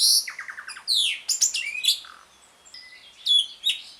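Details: Lure song of an Asian pied starling in ngriwik style for silent birds: a quick run of stuttered rising notes and steep whistled sweeps, a brief low buzzy note, then a quieter gap before a few final chirps.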